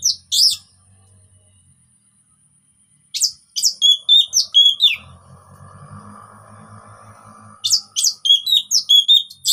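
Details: Orange-headed thrush singing relaxed lure phrases for birds that have stopped singing: bursts of sharp chips and quick whistled notes, separated by pauses in which a low hum and rustling are heard.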